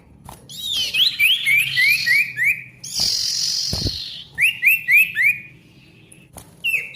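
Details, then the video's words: Lively male ashy tailorbird, played to get silent tailorbirds singing again: bright downslurred whistled notes repeated rapidly in runs of five, broken by a burst of harsh hissing, then another quick run of whistles. "SIRTU GACOR RIBUT COCOK UNTUK SIRTU MACET BUNYI AGAR GACOR KEMBALI"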